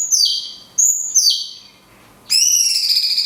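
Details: Cungkok 'tembakan kunti panjang' song, recorded as tutor material for songbirds. Three sharp, high whistles slide downward, then a long rippling, warbled note is held.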